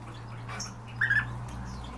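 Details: Kept European bee-eaters: one gives a single brief, two-part rolling call midway through, over a steady low electrical hum and faint background noise.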